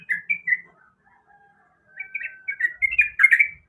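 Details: Female yellow-vented bulbul calling for a male, three short bright chirps, a pause with a faint thin whistle, then a burst of quick rising and falling warbled notes growing louder at the end.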